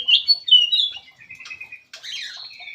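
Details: Black-crested bulbul giving a lure call: loud, quick whistled notes sliding downward, a softer level trill, then a final jumbled burst of chattering whistles.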